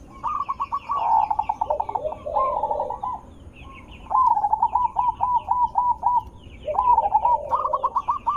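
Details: Zebra dove song used as a lure to make other zebra doves answer: rapid series of short staccato cooing notes around mid pitch, bursts repeated with brief pauses, plus a lower trilled coo underneath.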